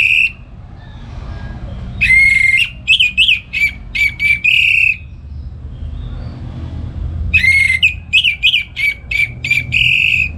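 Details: An orange-headed thrush kept at home sings in the loud ngeplong style in the morning, used to train other birds. Two bursts of strong whistles and harsh, rapidly repeated notes are split by a quiet gap with distant traffic-like rumble.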